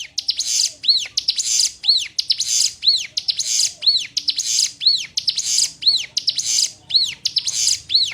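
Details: Sunda warbler (ciblek gunung) singing one of six variants used to tutor newly caught birds: regular cycles of a buzzy, scratchy burst and a bright, arching whistle, roughly one per second, with no other sounds.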